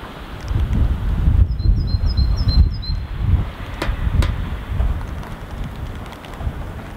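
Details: A great tit in Helsinki, Finland, in February 2016, during apparent sleet, sings a monotonous song variant: a brief run of about five high, evenly paced see-saw two-note phrases against strong, rumbling wind noise.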